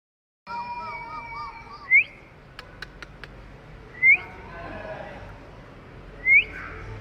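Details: Pet Indian ringneck parrot climbing in a tree, giving three loud, sharp upward-sweeping whistles about two seconds apart over a faint steady tonal background and a few soft clicks.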